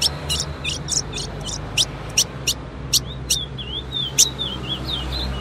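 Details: Song of a female ultramarine grosbeak, meant to set males singing: irregular sharp, high clicking chips, then a short, soft, wavering whistled run near the end, against steady low-pitched background noise.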